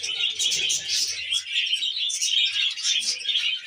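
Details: A group of pet budgerigars at a meal of wheat germ, chirping and warbling continuously in high, twittering bursts, with quiet low rustles early on.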